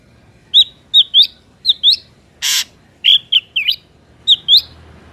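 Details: Ashy drongo lure recording for trapping: clear, sharp whistled notes, often upslurred and paired, given in short groups with a brief harsh noisy burst in the middle.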